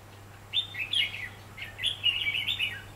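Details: Red-whiskered bulbul singing a fighting song while being trapped, 4 October 2016: two rapid runs of rich, chattering whistles rising and falling, the second longer and ending in a dropping slur, steady low hum behind.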